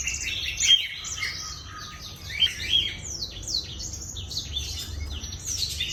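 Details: Black-throated canary in full, energetic song, offered as a lure recording to prompt other birds: a rapid, unbroken stream of high twittering trills, chirps and quick rising and falling notes, with a faint low rumble beneath.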